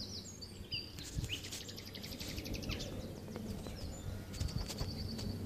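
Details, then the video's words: A common nightingale at Loxwood on 18 April 2015 sings high whistles and a fast burst of repeated notes, then holds a long pure whistle, over a steady low rumble of wind; a wren, jackdaw, sheep and a plane are also audible. "Nightingale singing"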